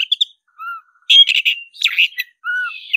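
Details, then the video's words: Fighting-mode black-breasted Oriental magpie-robin mixing low pure whistles with dense bursts of loud, scratchy warbling and chatter. "suara kacer dada hitam gacor tarung ngobra suara menggila"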